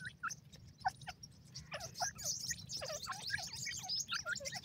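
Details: Grey francolin chicks calling: a crowded mix of short upslurred peeps and high twittering chirps, overlapping almost continuously over a low background hum.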